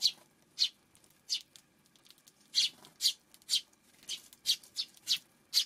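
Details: Eurasian tree sparrow on a June 5 afternoon, giving short, harsh, bright chirps, about twelve in under six seconds at an uneven pace, each a quick burst with a faint background hum between.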